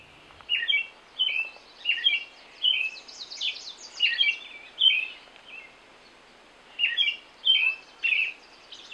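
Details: Wild American robin in Canada singing clear caroling phrases: short whistled slurred notes, rising and falling, delivered in quick groups with brief pauses, bright against a quiet background.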